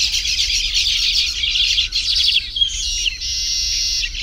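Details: Baya weaver in a tropical habitat around nest-building: dense overlapping high chattering from several birds forms a continuous buzzy chorus, briefly dropping off, then a sustained thin wheezing buzz with chips mixed in.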